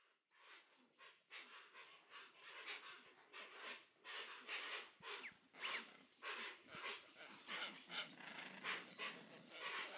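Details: Hoatzin in the Amazon of Brazil: harsh, hoarse, breathy bursts repeated roughly once a second in an uneven run, with a thin steady high insect whine throughout.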